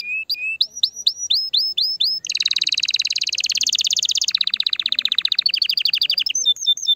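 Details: Canary song meant to stimulate the female for mating: a series of hooked whistled notes, then a loud buzzy rolling trill, changing to a faster chattering trill and ending with short whistles.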